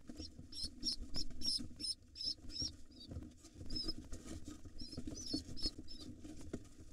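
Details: Excited wild rock pigeon chicks in a nest box beg from their father with rapid high squeaks that thin out later, over flapping and shuffling sounds.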